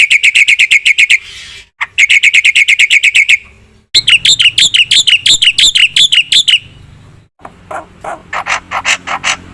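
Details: Black-winged myna singing a full, varied song: harsh, buzzy notes repeated rapidly about three per second in long bursts, then brighter rising whistled phrases, with short silent breaks between series.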